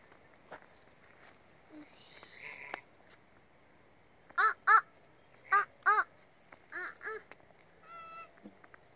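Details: Geese giving loud, nasal, harmonic honks in short bursts: two paired honks, then another pair, then a softer trio, each note clipped and separated by quiet gaps, with a thin higher call near the end.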